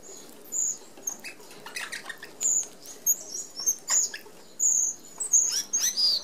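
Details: Red-browed finches feeding as a flock through the 25 mm mesh of an open aviary feeder; high, thin drawn-out seee calls and short peeps mix with fluttering wings and pattering.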